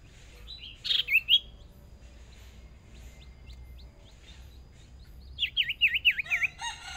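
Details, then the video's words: Young decoy Hwamei in its first practice singing contest: a harsh burst with rising whistled slurs, a quiet pause with distant chirps, then a fast run of five loud looping whistled notes. "Chim Huýt Cô Mồi Mới Lên Lần Đầu Dợt Lụp Nhỏ Đấu Căng Lửa Thật"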